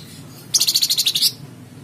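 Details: Singing Flamboyan bird, played to get cage birds singing: a quick run of about ten evenly spaced, high, metallic notes lasting under a second, over a low hum.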